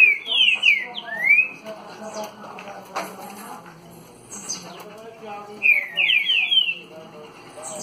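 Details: Caged Green-winged saltator, a trinca-ferro in the "60 boi" (dançarino) style singing face-on: a short burst of clear whistled slurred notes at the start, a long quiet stretch with background noise, then another quick whistled phrase.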